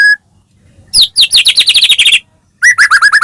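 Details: White-rumped shama from Medan in full song, used to provoke a caged bird into singing: a loud, rapid burst of sharp, descending chattering notes, a pause, then a run of clear, bright, upslurred whistles.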